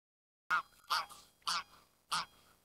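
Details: Greylag goose giving four loud nasal honks, each short and harsh, spaced about half a second apart, in otherwise quiet surroundings.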